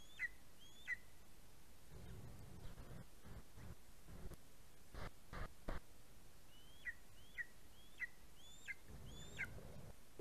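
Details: Greater spotted eagle chick at fledging, 11 August 2020, live nest camera: scattered high, yelping notes, a pair at the start and a run of five later, separated by low rustling and thumping noise.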